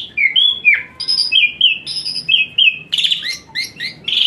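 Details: Jalak suren, the Asian pied starling, in a rich varied song meant to rouse a lazy-singing starling: slurred whistles, squeaky rising notes and harsh chatter in quick succession over a faint low hum.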